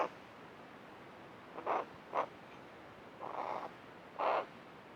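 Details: Hooded crow, tame, near a bird bath made from a dish lid. It makes soft, gravelly notes: two quick croaks, then a longer grating call and a final rough croak, in quiet surroundings.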